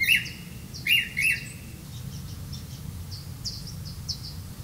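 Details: Red-vented bulbul feeding crickets to its young: three loud, short, slightly hoarse notes in the first second and a half, followed by faint, high chirps scattered over a soft background hum.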